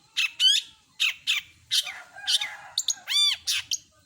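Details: Long-tailed shrike song full of imitations: scratchy rasping notes, a ringing whistled phrase, a buzzy passage and a rounded warbling note, delivered in quick succession.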